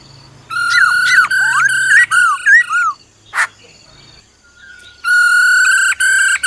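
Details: Black-throated laughingthrush singing forest style, female trilling heard too: rich whistles with looping up-and-down slurs, a harsh noisy burst, a pause, then a loud sustained ringing whistled phrase.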